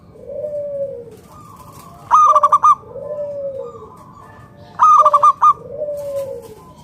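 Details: A local zebra dove sings so that other doves will respond. Two bursts of fast, pulsing coos about three seconds apart alternate with drawn-out, lower, gently falling coos that sound before and after each burst.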